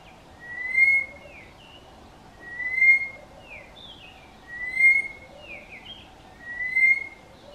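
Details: A Southern boubou calling to its mate, which did not reply, gives a clear, level whistle about every two seconds, each followed by quick, slurred, buzzier notes, with a faint hiss behind; it called about three minutes before flying off.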